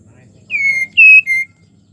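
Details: Female white-rumped shama in breeding condition calling to a male: three clear, loud whistled notes, each sliding slightly downward, the middle one strongest, given in quick succession with short gaps; faint low background hum.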